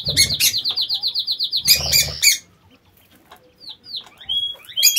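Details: Aviary lovebirds giving rapid, buzzy repeated chattering notes in a steady stream, broken by loud harsh bursts and a short pause, then scattered sharp downslurred chirps and thin whistles.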